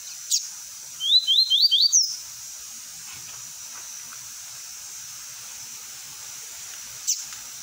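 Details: Short tui tui phrase from a double-collared seedeater, sung for training young birds: four quick rising whistles followed by a higher slur, framed by sharp isolated clicks and steady background hiss.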